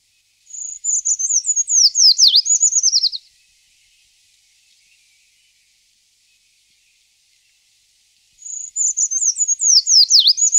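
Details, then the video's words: Eurasian treecreeper singing two thin, very high phrases about eight seconds apart, each a roughly three-second run of quick descending notes that speeds up and ends in a twisting flourish, with near silence between. "głos „pełzacza leśnego”"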